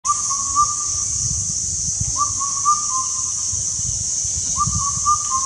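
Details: An Indian cuckoo in an Indian forest repeats its four-note whistled phrase about every two seconds, over a steady high hiss of insects and a low rumble.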